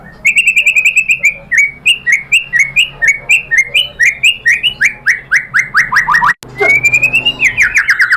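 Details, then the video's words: White-rumped shama lure song meant to make another shama answer. Strong downward-slurred whistled notes repeat about three times a second for six seconds, followed by a rising trill and falling chirps. "PANCINGAN MURAI BATU BIKIN EMOSI JADI NYAUT GACOR BONGKAR MATERI ¦ SHAMA BIRD"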